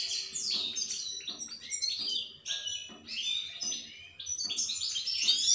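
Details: Tinkling, rapid goldfinch song of jumbled downslurred and rising chirps in dense phrases, with a regular soft thumping sound underneath.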